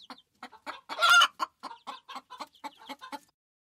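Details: Farm chicken giving a series of short, evenly spaced clucks with one loud, harsh squawk near the start, then the clucks taper off into silence.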